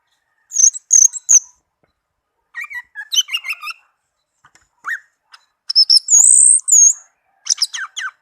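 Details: Varied melodious song from a tame caged orange-headed thrush: sharp high bursts, lower warbling phrases, a quick upward slur, then loud looping high whistles and chirps.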